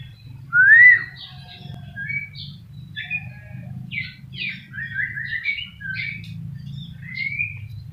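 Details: A white-rumped shama delivers a rising whistled opening note followed by a string of fainter chirps, trills and slurred whistles over a steady low hum.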